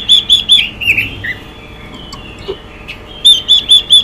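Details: Female Chinese hwamei giving short series of whistled notes, then slurred, slightly harsh notes and a pause, before another run of four evenly spaced clear whistles, meant to rouse male birds.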